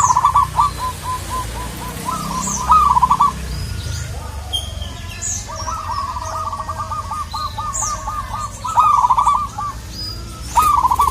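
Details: Local zebra dove calling to a rival, several rolling coo phrases that break into quick repeated notes, separated by pauses, with sharp chirps of other birds and a faint low hum.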